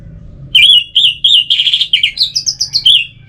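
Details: Orange-headed thrush singing a relaxed, continuous phrase of rapid warbled whistles, some notes rolled into quick trills, the pitch stepping upward toward the end before dropping back.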